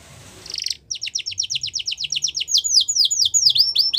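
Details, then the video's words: Russian canary training song: a short buzzy burst, a pause, then an accelerating string of crisp high downslurred notes shifting into fuller, swooping whistled notes. "Russian Canary Singing | The Best Canary Training Song"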